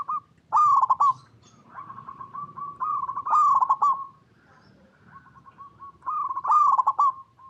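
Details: Local zebra dove song intended to lure other zebra doves into singing: three bursts of quick, staccato trilled coos roughly every three seconds, linked by softer continuous cooing.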